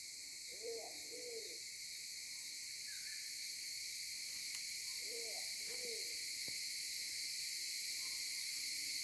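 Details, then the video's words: Maleo filmed on a mobile phone at Sarva Island, Kampung Ugar: two paired low hooting calls, each a double hollow note, about five seconds apart, over a steady high insect chorus. "Burung Maleo"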